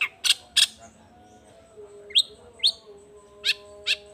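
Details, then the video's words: Long-tailed shrike in energetic song, giving two harsh buzzy bursts, then spaced single rising chirps and grating notes separated by pauses, over a steady faint tonal background hum. "Cendet Gacor Efektif Pagi Siang Sore Rajanya Bikin Cendet Lainya Spontan Nyaut Bunyi Penuh Emosi"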